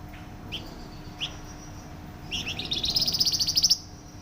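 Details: Flamboyan bird, loud and close-packed song: two isolated sharp chirps, then a swelling, rapidly pulsed high trill lasting over a second, low hum in the background.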